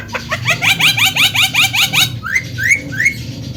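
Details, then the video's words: Javan myna, white-eyed form, in full song: a rapid run of short, downward-curving whistled notes, then three separate rising whistles, with a low hum underneath. "burung jalak kebo mata putih gacor losss"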